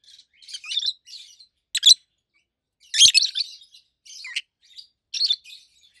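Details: Adult rosy-faced lovebirds kept as a pair, red-head green opaline and white-head pallid aqua opaline, calling with loud, high, buzzy chirps in irregular bursts, some sharp and clipped, others longer and rasping.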